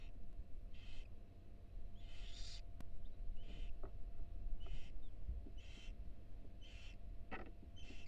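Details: Barn owls in a University of Florida nest box, a female beside four small nestlings: rough hissing screeches repeated irregularly, some longer and louder, with brief clicks and a steady low hum beneath.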